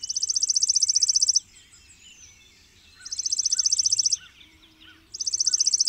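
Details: Chipping sparrow song: three dry, rapid, even trills of high chips, each about 1.4 seconds long, separated by short pauses. Faint lower bird notes from other birds sit in the gaps.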